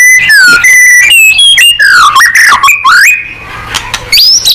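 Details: White-rumped shama song used to provoke other birds into singing: loud, varied whistled phrases, long clear notes with sliding and rising slurs, some buzzy bursts, a short pause, then a rising whistle at the end.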